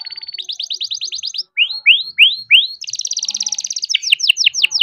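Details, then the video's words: Young captive-bred canary singing a rolling song meant to encourage silent canaries: quick high trills, then several loud rising whistled sweeps, followed by another rapid buzzy trill and descending slurred notes. "BURUNG KENARI GACOR NGEROL BISA JUGA BUAT PANCINGAN KENARI MALAS BUNYI"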